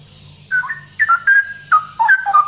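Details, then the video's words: Loud ropel-style song of a male straw-headed bulbul, a short run of clear, bubbling whistled notes that dip and rise, following a brief quiet start. "Burung Cucak Rowo Jantan Gacor Suara Lantang ROPEL"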